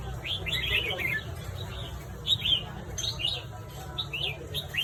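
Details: Morning song of a red-whiskered bulbul: short bursts of bright, bubbling, up-and-down chirps coming every second or so, with a constant low hum and muffled talking beneath.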